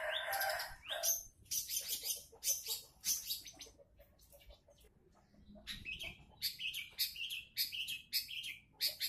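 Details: Long-tailed shrike song used as a lure to draw other shrikes into vigorous singing: loud, harsh, scratchy bursts with high rasping notes, then a quiet pause before a run of rapid, clipped, repeated chattering phrases.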